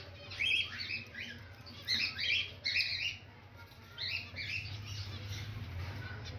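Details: White zebra finch at a new nest with eggs and two chicks, feeding young, calls in four quick bursts of short, high, chattering chirps about a second apart, over a faint low hum.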